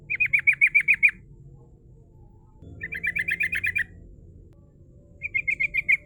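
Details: Rolling, shooting-style sooty-headed bulbul song for luring rivals: three bursts of rapid, bright trilled notes, each about a second long with seven to ten notes, separated by short silences.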